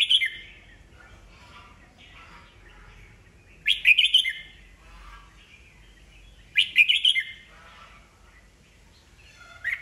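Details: Red-whiskered bulbul, old wild-caught cage bird used to incite rivals to sing: bright, jumbled chirping phrases recurring every three seconds or so, separated by faint short notes.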